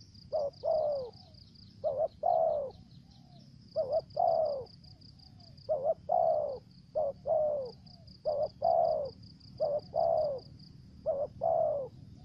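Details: Spotted dove used as a lure bird, in the 'thổ dế' voice style with 'dập' notes and the 'mai rừng' voice: deep double-noted coos repeated roughly every one and a half seconds, over a steady high pulsed ticking in the background.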